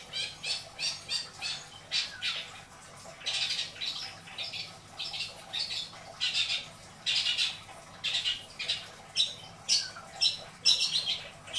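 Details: Caged long-tailed shrike, kept as a pet in Indramayu, Indonesia, sings a busy run of harsh, buzzy and chattering notes in quick bursts, some scratchy, some slightly whistled, with short gaps between phrases.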